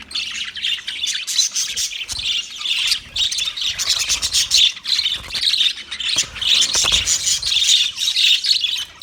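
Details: Clear budgerigar chatter from 29 February 2024: bright, high warbling chirps and scratchy squawks pulse in quick bursts over an almost silent low background.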